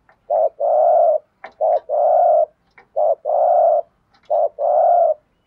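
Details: Spotted dove delivering thúc gù coos: four even phrases, each a short low note followed by a long, steady mellow coo, at a regular pace with light clicks in between.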